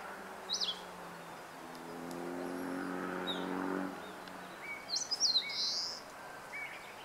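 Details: Eastern crowned warbler in song, 26 April 2014: a single high slurred note, a stretch of passing vehicle rumble, then quick high notes that end in a buzzy trailing tone, with softer calls afterwards.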